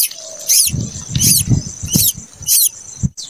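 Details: A plaintive cuckoo chick that hatched late, still in the nest, gives high, hissing begging bursts about every two-thirds of a second, with soft low thumps and rustling underneath.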